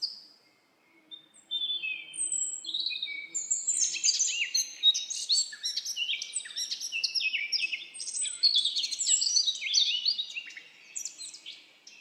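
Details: Lively forest bird song: a few opening chirps, then a dense, fast stream of twittering, jumbled high notes lasting many seconds.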